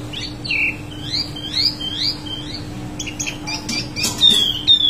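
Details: A wambi mini sings a series of high slurred whistles, then scratchy clicks and a long thin descending whistle near the end, with a quiet steady hum in the background.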